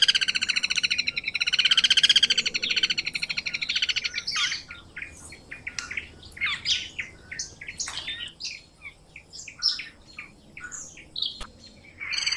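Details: Guira cuckoo (anu branco) of South America, recorded in Brazil, singing. A dense, rattling burst of high harmonic notes opens the recording, followed by a series of short, sharp, irregular high notes.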